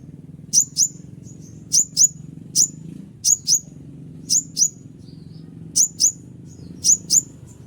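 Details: Konin, the Scarlet-headed Flowerpecker, calling to draw in wild birds: regular pairs of high, thin, downward-flicking notes, seven pairs, with a few softer single notes between them and a low background hum.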